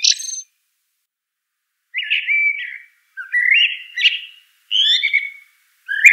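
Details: Common blackbird song in short mellow whistled phrases, each rising or swooping then trailing off, delivered in a series with brief gaps, some ending in a thin high twitter; quiet background.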